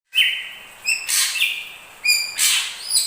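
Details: Combined song of a crested drongo and an ashy drongo: clear whistled notes held level, then stepping down, broken by loud harsh buzzy bursts, two phrases in three seconds.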